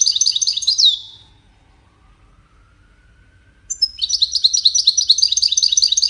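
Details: European goldfinch from a five-bird 'widaniya' song competition: a burst of dense, tinkling twitter ends in a downward slur, a pause of over two seconds, then a new, rhythmic run of high chattering notes.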